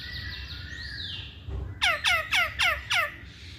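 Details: Hwamei song: a drawn-out whistle gives way to five loud, sharp notes, each sweeping steeply downward, repeated at a brisk, fairly even pace.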